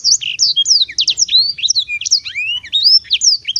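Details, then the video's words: Black-throated canary in full song, clear high whistled notes sweeping up and down in quick succession, some drawn-out rising slurs among rapid twitters. "kicau merdu siBLACKTHROAT"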